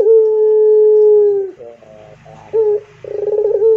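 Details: A sustained, level coo from a pelung Barbary dove dips at its close. Soft wavering notes, a short clipped note and a bubbling onset of the next coo follow.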